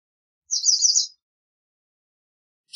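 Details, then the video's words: A single high, buzzy trill from a white wagtail lasting under a second, with quick repeated notes, followed by silence. "White Wagtail Song! White Wagtail Call! White Wagtail Sound- Lavandera Blanca Canto - Motacilla Alba"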